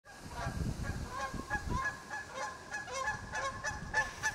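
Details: Goose landing hard in a pond and calling loudly to another goose; a run of harsh, nasal honks repeated several times a second, with splashing water and low rumbling underneath.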